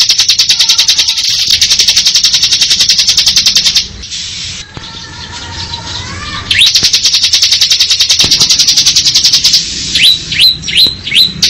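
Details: Ciblek, or bar-winged prinia, in ngebren mode: long high rattling trills of rapid even notes, interrupted by a pause where a lower slurred whistle from another bird is heard. It ends with a series of quick upward-sweeping whistles.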